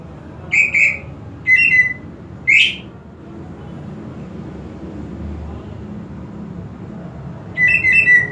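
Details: Kept greater green leafbird whistling three short clear phrases, one sweeping upward, then falling silent for several seconds before a final doubled whistled burst, with a faint low hum beneath.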